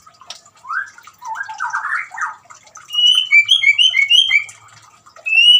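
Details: White-rumped shama singing beside trickling water, meant to prompt a silent shama to sing; varied whistled and harsh phrases, then a run of quick, repeated high two-note whistles, with faint water splashing behind.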